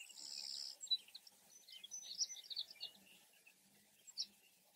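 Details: Savannah sparrow singing in fields where a pair seems to nest, answering another sparrow nearby: a high, thin buzzy phrase in the first second, then scattered faint high chips and short notes against quiet background.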